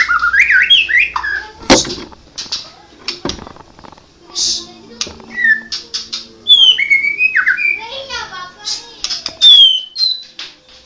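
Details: White-rumped shama of the Medan blorok type singing varied clear whistles. Quick rising and falling slurs and sharp high notes come in short bursts separated by brief pauses, with scattered clicks and knocks in between.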